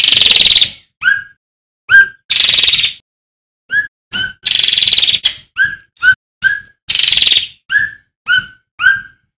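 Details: Male striated swallow in loud song: grating, noisy rattles broken up by runs of brief, falling whistled notes, with some notes a little higher in pitch.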